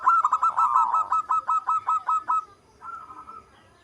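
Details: Local zebra dove singing actively: a loud, rapid series of about twelve clipped, throaty coos, then a softer, trailing, rolled coo at the end.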